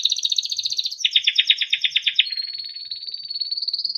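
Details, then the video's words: Training song from a Timbrado canary: a dense high warble, a loud rolling trill of about ten beats per second, then a long, gently rising whistled tone. "Timbrado canary singing beautiful melodic songs"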